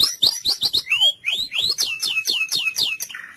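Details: White-rumped shama singing in cililin style for training other birds: a fast string of bright whistled notes, many sliding sharply downward, delivered at about four notes per second.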